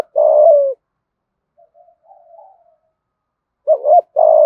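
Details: Spotted dove, 'cu gáy thúc gù' lure cooing. A long sustained coo ends one phrase, then comes a soft wavering murmur. A new phrase follows: a paired short note and another long falling coo.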